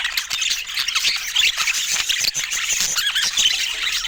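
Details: Budgerigars chattering steadily in natural Scandinavian light: thin squeaks, warbled notes and rasping squawks run together without pause.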